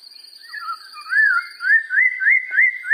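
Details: Black-throated laughingthrush song: soft low chatter opens, then a rapid series of wavy, slurred whistles repeated about six times in quick rhythm, each rising and dipping, loud and clean.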